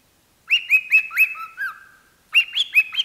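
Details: Pet parrot singing into a microphone gives a short burst of looping whistled notes, then two lower sliding whistles, a second of quiet, and another quick run of bright whistles.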